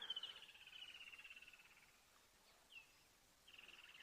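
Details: Woodland Kingfisher, predominant caller while sitting quietly at a dam, 11 December 2022: a sharp high note dropping into a long, pulsing, descending trill, then a brief note and a second trill beginning; faint background hiss.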